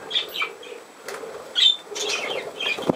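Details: Budgerigar, 17 November 2024, producing quick high squeaks and a brief whistled note, then a denser warbling chirp run in the last second.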